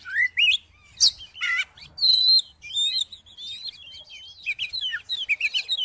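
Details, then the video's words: Song of an Oriental magpie-robin, played to prompt another magpie-robin into singing; rising whistles, a harsh buzzy burst, a clear high sustained note, then a run of quick twittering chirps, with a soft low hum. "COBA DIPANCING DENGAN KICAUAN KACER INI"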